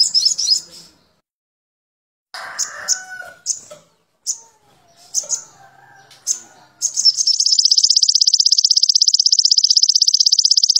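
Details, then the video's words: Crimson sunbird training recording, meant to raise the bird's excitement and breeding drive: thin, high chips and short bursts, then a long, fast, even, buzzy trill of about four notes per second, with softer lower sounds underneath early on. "MASTERAN SOGON TROTOL MUDAH DI TIRU"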